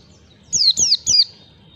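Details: A pleci, or white-eye, giving ngalas song as a training lure for learning birds; three piercing high whistles, each dropping in pitch, spaced about a quarter second apart, with a quiet background.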